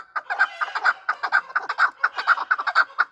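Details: Fighting chukar partridges, kept as hunter birds, give rapid chuck notes, roughly two per second, each a short, throaty, mid-pitched cluck, in a steady rhythmic run with no other clear sounds.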